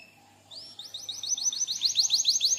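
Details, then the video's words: Canary (kenari) singing for tutoring: after a soft opening, a high held note leads into an accelerating string of short, bright, high-pitched notes growing louder. "KENARI DENGARKAN SAMPAI HABIS, PANCINGAN MASTERAN, SUARA BURUNG CUIT CUIT"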